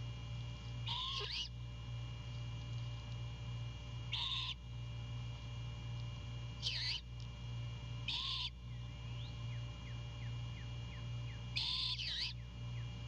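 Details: Great horned owl hen perched beside a Savannah nest with her owlet, predawn 2 April 2022, calling the male to bring food; five rough, hissing screeches with a tonal edge, repeated every two to four seconds, faint chirps behind, steady electrical-like hum.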